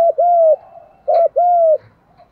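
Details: Decoy spotted dove for trapping, in the 'giọng thổ pha' style, gives two clear coo phrases. Each is a brief bent note followed by a sustained, slightly falling hoot, with a soft scrape between them.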